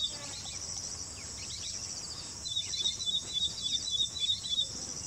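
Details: Ashy prinia singing in Assam, India, a song unlike that of southern birds: a quick run of about nine thin, high, even notes, four per second, over a steady high-pitched cricket chorus.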